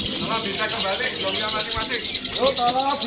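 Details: Lovebird performing 'konslet' song at the 2018 Love Bird Award contest in Solo, giving an unbroken high buzzing chatter of quick pulses while a crowd talks in the background.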